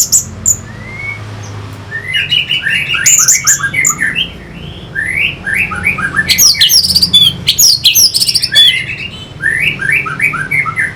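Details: Captive orange-headed thrush (Geokichla citrina) recorded as a song model for training birds sings rich, varied phrases of rapid, slurred whistles and chattering notes, high-pitched and almost unbroken, with a faint background hum.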